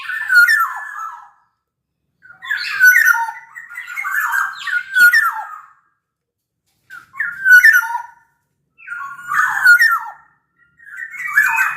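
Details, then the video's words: Large-bodied black-naped oriole from Sumbawa singing repeated phrases of mellow, falling whistles with harsh harmonics, each burst one to two seconds long, roughly five across the stretch. "Kepodang Lokal Gacor Suara Buat Pancingan Burung Kepodang Agar Bunyi"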